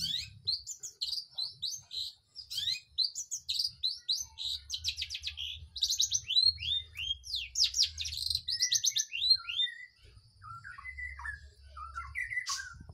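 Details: Long-tailed shrike singing a lively, variable sequence of fast chattering and whistled notes, followed by a buzzy trill and softer, lower chirps near the end, over a quiet background.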